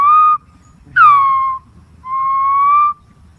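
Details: Green pigeon producing three whistles: a short level note, then one that starts high and slides down, then a steady slightly rising whistle; quiet background.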